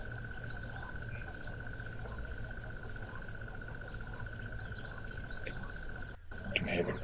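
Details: A Crested Barbet trills in the background at a waterhole in the low veld of the Sabi region, 21 August 2025: a long, even, rapid trill at one steady mid pitch for about six seconds, over a low rumble and a man talking.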